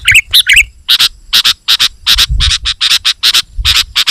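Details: Sooty-headed bulbul, sung to provoke rivals and lure wild bulbuls: three bubbly slurred notes followed by a long, steady series of short, harsh chirps in quick pairs.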